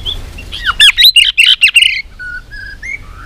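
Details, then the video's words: Trained contest-singing white-rumped shama pouring out a rapid jumble of high, sharp twittering notes for about a second, followed by softer thin whistles spaced apart. "chòe lửa hót đấu .luyện chòe lửa căng lửa hót nhiều giọng .chòe lửa đánh đuôi thúc bổi"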